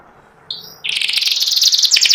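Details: White panda canary: a brief thin high note, then a sudden burst of dense, fast chattering trill that grows louder, in ngeriwik style.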